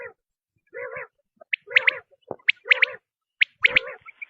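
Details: Quail uttering low nasal wavering notes punctuated by paired sharp high chirps, spaced by short silences, about one group per second.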